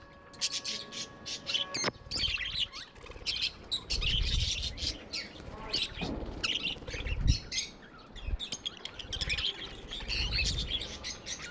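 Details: Pet budgies keeping up busy high chirping and warbling, with low thumping bumps and a faint hum underneath.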